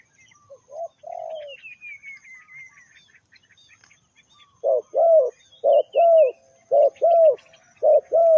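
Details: Spotted dove cooing used as a lure for trapping: short soft coos at first, then a rhythmic series of paired throaty coos repeated about once a second. A descending whistle from another bird and scattered chirps sound early on.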